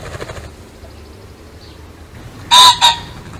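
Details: Pheasant call: after quiet background noise, one loud, harsh double burst near the end, the second note shorter.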